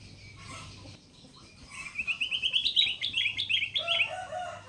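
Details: Caged Sooty-headed bulbul, trapped wild and since tamed, now calling almost every minute: after a quiet start, a quick run of clipped chirps climbing in pitch, ending with a lower fluty note.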